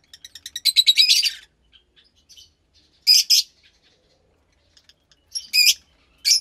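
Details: Fischer's lovebird chick about 15 days old, from a lutino and pastel blue pair, kept in care; bursts of sharp, high chirping calls, a rapid run near the start then short buzzy squeaks spaced a few seconds apart.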